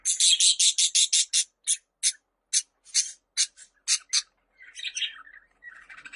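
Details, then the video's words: Budgerigar giving a rapid string of harsh, buzzy squawks, close together at first and then spaced more widely, ending in quieter twittering warble. "Muhabbet Kuşu Sesleri"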